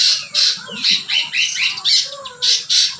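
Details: Cucak ranting in vigorous song, high harsh squawky chattering notes repeated in quick bursts roughly every quarter second, with faint low music underneath.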